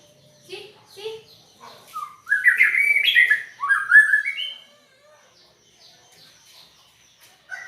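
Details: White-rumped shama, described as singing with an unusual voice: a few soft chirps, then a loud run of rising, slurred whistled phrases climbing from low to high over about two seconds, trailing into faint scattered notes.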